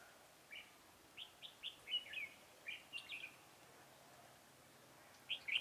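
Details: Decoy red-whiskered bulbul at a trapping site, 4 February 2018, singing a quick string of short, clear whistled notes that rise and fall, a pause of two seconds, then another whistled pair at the end.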